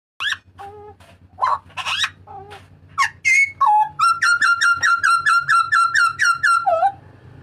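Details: Papuan butcherbird giving loud calls kept as master training audio for cage birds: several harsh, scratchy notes, then a fast run of about fifteen clear ringing whistled notes on one pitch, ending in a lower slurred note, with faint hum beneath.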